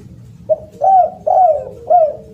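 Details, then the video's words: Loud, melodious spotted dove calling, recorded as a tutor for silent doves: a short low note, then three strong arched coos, each rising then sliding down, spaced about half a second apart. "SUARA BURUNG DERKUKU ( suara keras )"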